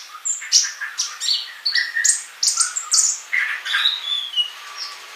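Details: Sunbird in lively song, a master recording for training birds: a busy jumble of high chirps mixed with lower whistled slurs and squeaky notes, delivered continuously without pause.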